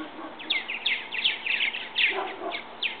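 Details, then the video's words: Purple martin fledglings leaving their bird house nest for the first time; quick run of raspy, gurgling chirps, several per second, rising and falling, some louder notes near the end, over faint background noise. "Purple Martin birds leaving their nest"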